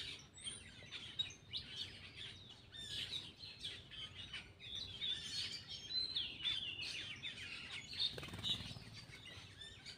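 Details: A Black-winged myna, eating, pours out continuous harsh chatter interspersed with thin whistled notes and twangy slurs, fairly steady in volume, with a dull thump near the end.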